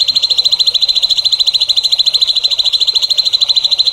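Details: Songbird song used as tutor material for young songbirds: one unbroken, very rapid, even trill of high pulses running steadily throughout, with faint hiss behind it.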